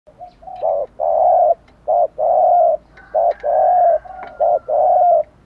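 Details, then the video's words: Decoy spotted dove cooing steadily to goad wild doves into cooing back all day: low, mellow coo phrases, each a short note followed by a longer sustained coo, repeated in a steady series with a faint thin whistle above. "chim cu gáy mồi bài bản thúc gù kích bổi xiêng gáy theo cả ngày"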